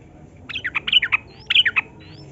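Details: Yellow-vented bulbul in rapid long-phrased song used as a lure for captive birds: two quick groups of bubbly, slurred notes with faint thin whistles in between over a soft hiss.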